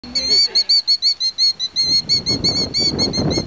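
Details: Female bird nesting in a parking lot, calling in agitation to distract people from her eggs: rapid high, sharp repeated notes, about three per second, with rumbling noise and a voice in the background.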